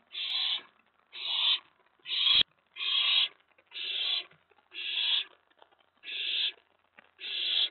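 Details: Owlet in a nest box at night, May 19 2017, worked up as an owl or owlet arrives on the tray following a mouse delivery; a steady run of eight raspy, hissing screeches, roughly one per second, with a brief knock among them.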